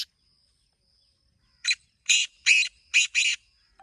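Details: Black francolin producing a brisk series of five harsh, scratchy notes, the final pair run close together, after a quiet stretch with a faint high insect hum.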